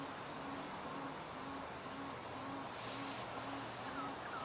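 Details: Low, pulsing 'oom' notes roughly twice a second from an adult male Tawny Frogmouth after dark near Gardiners Creek, Melbourne, Australia, in February. A brief higher whistle and steady background hum run beneath.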